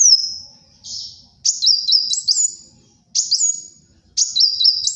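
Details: Olive-backed sunbird song for tutoring and luring birds: a high descending whistle, then repeated shrill phrases of stepped, zigzagging notes roughly every second, each starting with a sharp attack.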